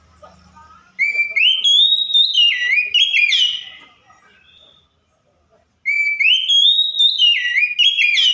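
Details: Oriental magpie-robin imitating other birds: the same loud phrase of a rising whistle followed by wavering, stepped descending notes, sung twice several seconds apart, with silence between.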